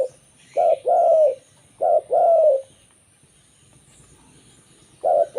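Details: Zebra dove of local stock singing, a recording meant to attract others of its kind: soft rolling coos in paired phrases, a brief note then a drawn-out purring, descending one, repeated three times over a quiet background.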